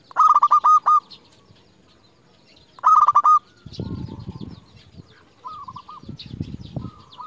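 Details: A champion local zebra dove used as a lure to call rivals gives two loud, close, rolling coos about two and a half seconds apart. Softer coos from other doves answer between them, with low thumping background noise.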